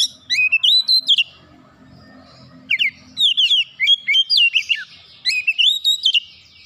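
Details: Oriental magpie-robin song meant to provoke rivals: three separate bursts of rich, rapidly changing whistled notes with sharp chips, each about a second long, separated by quiet gaps with a faint low hum.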